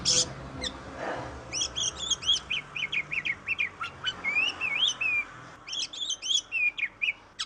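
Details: Oriental magpie-robin song used to prompt other birds to sing: after a few opening notes, a steady string of rapid whistled chips and looping slurs, one wavering phrase, then more quick chips.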